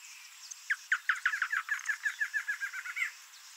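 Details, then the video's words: A male double-collared seedeater (Sporophila caerulescens), free in nature, gives a quick run of about fifteen bright, rapid, fairly even chirped notes over faint hiss; the species lives in marshes and pastures. "Coleirinho Macho: Ave Canora Livre na Natureza 🌿🐦Double-collared Seedeater"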